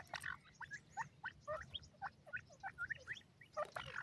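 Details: Native pheasant chicks in the wild, eating real food: a quick run of short, high peeping notes, about four each second, over a steady low rumble.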